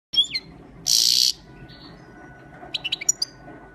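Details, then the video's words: Goldfinch in full training song from Quetta: a sharp descending whistled note opens, a short harsh hissing burst follows, then after a pause a quick cluster of high, thin chirps and twitters closes the passage. "gold finch full training singing"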